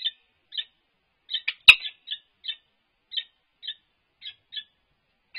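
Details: Peregrine falcon courtship at UC Berkeley with head bowing and nest scraping, livestream recording from 3-4-22. Short hoarse chirps spaced about half a second apart, with one loud click-like burst early on.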